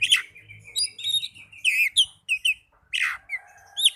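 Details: Oriental magpie-robin song used to coax caged birds into singing: a rich run of varied whistles, slurred notes and chirps mostly high-pitched, delivered in quick bursts with short gaps, over a faint low hum.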